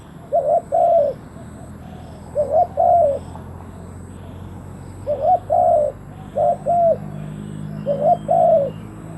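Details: Spotted dove used as a decoy bird to draw in wild doves, repeating a clear two-part coo, short note then longer rounded note, four phrases about two seconds apart with faint background hum.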